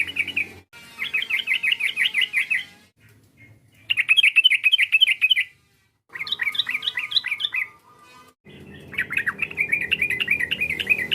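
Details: Yellow-vented bulbul rival-provoking call, heard as several spliced bursts of rapid, rhythmic chirping trills separated by short silences.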